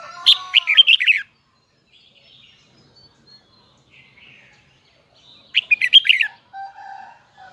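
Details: Red-whiskered bulbul of the Huế type in high, double twisted voice: two quick volleys of loud, sharp, twisting whistles about five seconds apart, with faint chirps between and a short lower note after.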